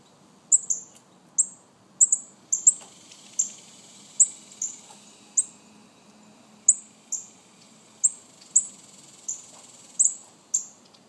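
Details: A long run of high, thin, downslurred chips from baby northern cardinals, often in quick pairs or triplets, roughly one or two per second with brief pauses.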